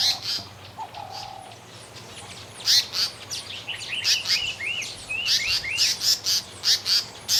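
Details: African paradise flycatcher singing and breeding in a camp-site at an Etosha safari lodge: bursts of sharp, high chirps about twice a second, with slurred, arching whistles midway and a faint low hum beneath.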